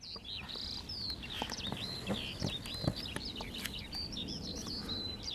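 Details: Eurasian skylark singing above fields in the Las Kabacki Nature Reserve, Poland, on 20 April 2021: faint, distant high twittering and whistled slurs in an unbroken flow, set against steady low background noise.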